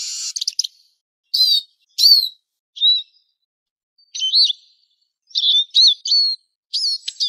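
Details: Eurasian siskin lure calls: separate short high notes, each a quick down-slurred or looping whistle, spaced about a second apart, some paired, with silence between.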